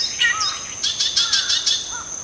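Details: Oriental reed warbler giving an unusual call: harsh, scratchy bursts repeated in quick succession, roughly five in under a second, with a faint lower whistle before them and a steady high insect drone behind.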